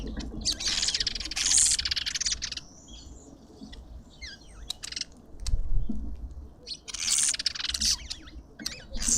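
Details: Mousebirds at a bird feeder in a suburban garden in Pretoria, South Africa: two bursts of harsh, buzzy chattering, each about two seconds long, with a few sharp ticks between them over a low background rumble.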